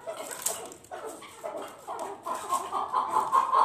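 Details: Chukar partridge calling during a fight: rough, clucking notes near the middle pitch, loosening into a run of fast, repeated chuck notes that grow louder toward the end, over a faint hiss.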